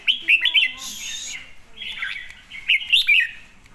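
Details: Red-whiskered bulbul delivering two clear bursts of sweet, fast chirping notes, each phrase a tumble of quick warbles, with a soft hiss between them.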